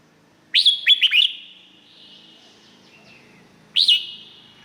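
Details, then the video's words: Singing red-whiskered bulbul from Thailand, song meant to stir other birds: a quick phrase of four bright, bouncing whistled notes, a pause of about two and a half seconds, then one loud upslurred note. "เสียงนกกรงหัวจุก สำหรับต่อ หรือ เปิดให้นกคึก เสียงเพราะๆ"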